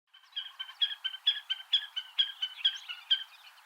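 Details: White-tailed eagle chicks in Iceland, feeding on lumpfish: a quick series of thin, high, harmonic peeping notes, roughly a dozen in under four seconds, evenly spaced and slightly rising and falling in loudness.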